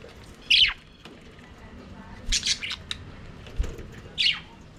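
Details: Budgerigars in their aviary, singing and playing: isolated loud squeaky chirps and a short burst of three or four rapid notes, with quiet gaps between and a faint chatter behind.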